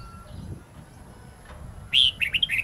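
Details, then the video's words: Red-whiskered bulbul wild song for teaching young birds: after a near-silent stretch, a loud whistled note bursts in, followed by a quick run of short warbled notes that is cut off as the phrase continues. "Chào mào hót giọng rừng âm dài xoắn cực hay/Dùng luyện chào mào non,má trắng học giọng rừng"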